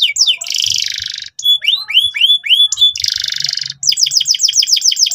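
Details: Strong, insistent canary song of the ngeriwik type, used as a lesson for young canaries. Quick upward sweeps alternate with loud buzzing trills and a fast run of repeated rising chirps, nearly without pause.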